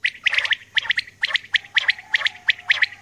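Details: Female common quail calling in the early morning: short buzzy notes in quick clusters of two or three, repeated about every half second, with a faint low steady hum beneath.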